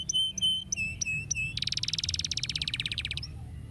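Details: Canary singing to stimulate birds: several spaced chirped notes followed by a fast, even, rattling trill lasting about two seconds.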